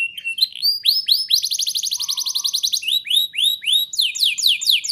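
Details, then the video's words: Lively canary song intended to get young canaries singing: varied swooping upslurred and downslurred notes, a dense fast trill in the middle with a faint low whistle, then further sweeping chirps. "Pancingan dan Masteran Kenari Gacor Ngotot! Ahlinya Memancing Kenari PAUD Pasti NYAUT"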